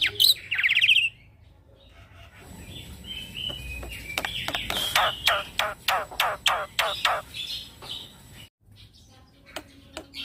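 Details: Tutor song from a young male Black-winged myna, 'ngeroll' style for training other birds: a loud buzzy trill, then a long even series of sharp clicking notes, about four per second, fading into soft background noise.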